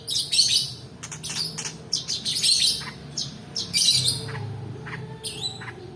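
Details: Long-tailed shrike rolling song, used as a lure for quiet shrikes and as tutor material: harsh, broadband chattering bursts in uneven clusters, with softer scattered notes between them and low background hum.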